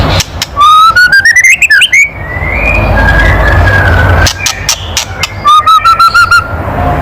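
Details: White-rumped shama giving provocative kretekan: a rising stutter of fast notes, a gap with a soft gliding whistle and rumbling noise, then another rapid series of short even notes.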